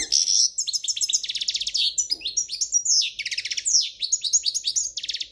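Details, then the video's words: Spanish royal goldfinch pouring out a fast, unbroken song of tinkling high twitters, buzzy trills and liquid rising and falling notes, described as error-free. "تغريد الحسون الاسباني الملكي خالي من الأخطاء"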